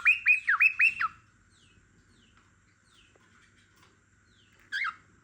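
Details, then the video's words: Cockatiel song next to a sleepy lovebird: four quick looping whistled notes, a long near-silent stretch with faint tones, then one more short whistle at the end. "Cockatiel Sings"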